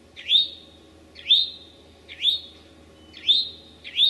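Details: Eastern towhee in Massachusetts forest, Sudbury's Memorial Forest or Marlborough's Desert Natural Area, late morning on May 25, 2011: a single slurred, upswept note with a high whistled tail, repeated about once a second, five times, over quiet background.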